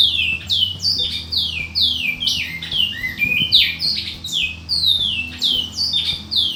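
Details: A male Great-billed Seed-Finch (bicudo), a singing-competition prospect at a breeder's, sings a rapid, unbroken run of clear, sweet, downward-slurring whistles, about two to three notes per second, over a faint low indoor hum.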